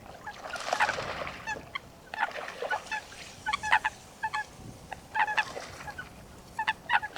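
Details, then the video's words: Coot in its natural wetland habitat giving short nasal honking notes in scattered bursts, several overlapping near the start, over a soft background hiss. "Coot Bird Sound | Real Calls of the Wetland Water Bird"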